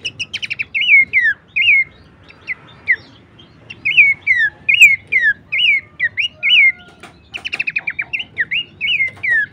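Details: Horsfield's babbler song as lure for cage songbirds: rapid ticking bursts opening and closing a sequence of loud curled whistles that drop in pitch, roughly seventy notes a minute.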